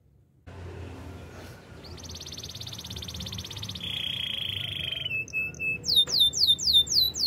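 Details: After a quiet start, a wild canary delivers a long high buzzing trill, a lower churr, a brief whistle, then a run of crisp descending swoops growing louder.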